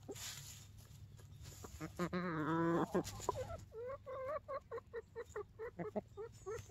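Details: Backyard chickens scratching in hay on a cloudy morning, mostly content: one drawn-out wavering call, then a steady run of short, soft clucks repeated about three times a second, with faint rustling behind.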